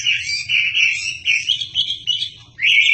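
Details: Chinese hwamei, a tutor bird for magpie-robins, delivering a continuous series of high whistled phrases, each bending up and down, with a louder upslurred note at the end.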